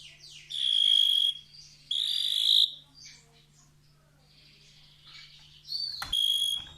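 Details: Canary singing loud, sustained high whistled notes in separate bursts with quieter warbling between, then a sharp click and another bright whistle; performed as tutor song for competition birds.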